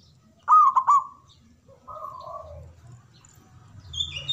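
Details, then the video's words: Local zebra dove with a big voice singing: one loud short phrase of quick, rolling cooed notes with a fainter second phrase after it and other doves faintly in the background. "Perkutut Lokal Gacor Suara Besar Manggung"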